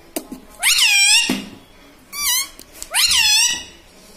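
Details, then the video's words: Talking pet parrot at home that repeats mummy, papa and radhe radhe; three shrill, harmonic, word-like calls that each swoop up and then fall, with small taps and clicks around them. "cute talking parrot"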